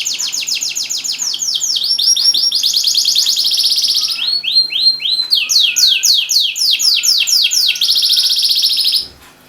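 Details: Canary song meant to trigger silent canaries into singing: varied phrases of fast descending chirps, buzzy rolls and low whistled notes, changing every second or two before stopping abruptly.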